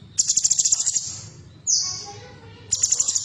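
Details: Female bulbul song known as cucak cungkok, used to coax caged birds to sing: a fast high rattle of about ten pulses, one falling whistle, then the rattle starting again.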